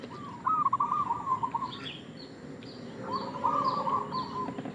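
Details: Zebra dove of local stock, giving a lure call: two long, rolling, stuttered cooing phrases separated by a pause of about a second, with high thin chirps in the background.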